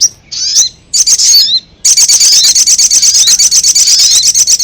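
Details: Ruby-cheeked sunbird call played as a lure for wild birds: brief high twitters and chips, then a sustained fast rattling trill of very high notes lasting nearly three seconds.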